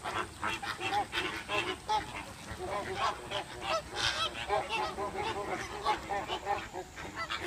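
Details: American flamingos at Oji Zoo in Kobe, Japan, fill the air with a steady stream of nasal, goose-like honks and squawks, many voices overlapping with barely a pause.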